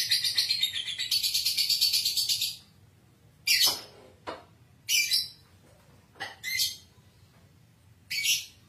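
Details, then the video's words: Lovebird of fighter type, played to coax lovebirds into a long ngekek: a loud, rapid high chattering trill for over two seconds, followed by short harsh squawks spaced about a second apart. "Suara Lovebird ini JOSS Buat Pancingan Buat Lovebird Agar Cepat Ngekek, lovebird FIGHTER"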